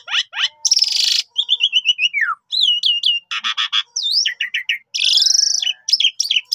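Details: Javan pied starling used as a lure bird, singing a fast medley of sliding whistles, descending note series, harsh buzzy bursts and sharp chips.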